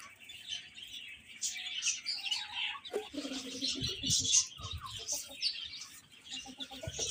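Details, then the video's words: Many baby chicks chirping while eating and playing, steady high overlapping peeps, with a short run of soft low thuds midway, like pecking or shuffling feet. "Cute Chicks Chirping Sounds"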